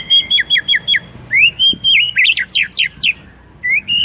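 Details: White-rumped shama singing to spur other shamas into song: rapid repeated whistled phrases of four quick notes, then a run of rising and falling slurred whistles, each phrase bright and high, with faint low background noise.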